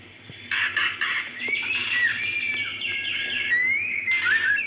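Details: Moaning call of a female White-rumped shama summoning a male, used as a lure for males slow to sing; a brief click, then a series of rasping chattered notes interwoven with long upslurred whistles, a faint hum beneath.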